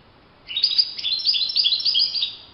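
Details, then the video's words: Free-living European goldfinch delivering a bright, dense twittering phrase of overlapping high chirps and trills for about two seconds, with quiet background. "chant chardonneret le Roi de la nature- Le chardonneret en pleine nature"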